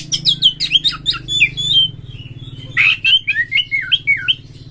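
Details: White-rumped shama song played to urge other shamas to sing and open their tails: quick chattering notes, a drawn whistle, then a string of looping whistled phrases, with a steady low hum.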